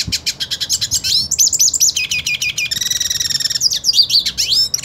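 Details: Purebred hooded siskin singing while wanting to fight another hooded siskin: a fast, dense stream of high twittering, sweeping notes and buzzy trills, continuous throughout with scarcely a pause.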